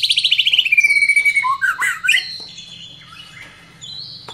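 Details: White-rumped shama roused by a lure recording and singing its repertoire: a quick stuttering trill sliding down, then a tangle of loud whistled slurs, fading into softer notes and a final high whistle.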